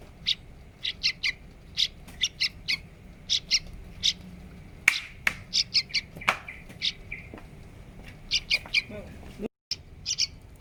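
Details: Hand-reared yellow-vented bulbul giving bright, clipped chirps in loose runs, sometimes doubled or tripled, with a sharp sweep midway and faint background rumble.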